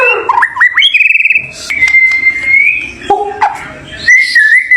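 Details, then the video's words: White-rumped shama, a champion songbird, singing a fast rattling trill, long steady whistled tones and a low abrupt note, ending in a wavering whistle. "BURUNG MURAI BATU JAWARA MEWAH"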